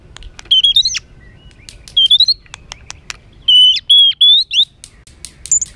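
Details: White-rumped shama giving an emotional, rough song intended to rile up other birds: repeated rising whistled phrases with sharp clicks between them, in short bursts about every second.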